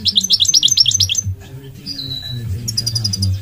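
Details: Goldfinch singing: a fast run of bright, high twittering notes in the first second, then a short thin whistle and a sparkling trill near the end, over a steady low hum.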